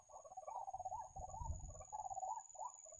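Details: Ruak-ruak, the white-breasted waterhen, recorded while being trapped: a continuous wobbling, warbled call at middle pitch with a final short hooked note, and a burst of low rumble in the middle.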